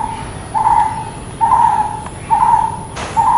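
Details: A brown-headed barbet gives low, even, hollow calls in a steady series, four notes within a few seconds, with a brief click and faint background hiss.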